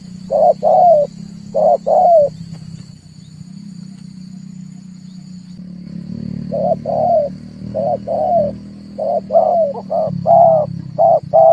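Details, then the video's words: A dove calling as a lure for trapping birds, bursts of paired coos early, then after a lull a longer run of repeated coos over a persistent low rumble. "tiếng chim cu ngoi dùng cho kich chim hót dùng để bây"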